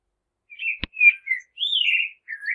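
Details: A common blackbird sings short fluty whistles, then a longer sliding, falling warble and a final low whistle, with one sharp click near the start.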